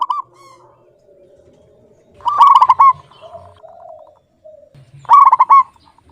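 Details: Zebra dove of a local strain, singing briskly: two loud staccato bursts of rolling, bubbling coos about three seconds apart, separated by faint low murmuring notes.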